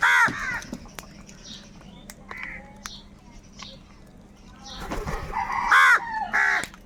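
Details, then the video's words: Crows fighting for food, giving loud harsh caws in a burst at the start and again near the end, with quieter calls between and faint chirps of other birds in the background. "Crow birds loudly crowing sounds - কাকের ডাক Crow Sound | Kaka sound and noises of crow birds"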